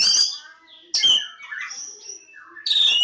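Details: Oriental magpie-robin, Kacer Jawa, giving loud chirpy bursts alternating with softer, sustained whistles and warbled low notes, with a strong burst at the end.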